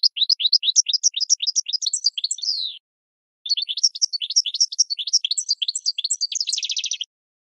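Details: Goldfinch singing, a recording meant for training cage birds: two long runs of fast tinkling, twittering notes, the second ending in a dense buzzy trill, with a brief pause between; no background noise.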